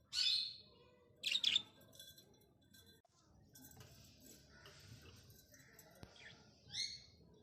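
Budgerigar giving sharp, high chirps in short bursts, with soft chatter between them.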